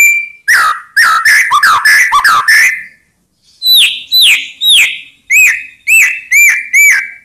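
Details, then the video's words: White-rumped shama song played to provoke rival birds into answering: a quick jumble of fluty slurred whistles, a pause, then evenly spaced loud downslurred whistles. "Ampuh Buat Murai Lain Terpancing Emosi Seketika Insyallah Langsung Nyaut"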